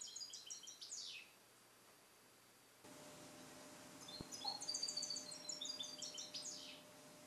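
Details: Captive-born European goldfinch from 2021, song-trained in the Neapolitan style and kept in a carrier for recording; a short twittering phrase, a pause with background hum and a click, then a longer run of bright high trills.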